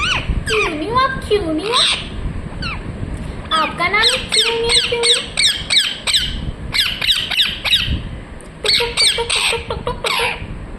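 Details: Ringneck parrot in busy, excited chirping: wavering squawks give way to rapid runs of sharp staccato chirps in dense bursts, almost continuous throughout.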